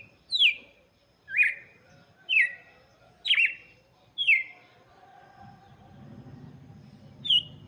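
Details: Red-cowled cardinal singing for chicks: five strong downslurred notes about once per second, then a pause with low rumbling before one last note.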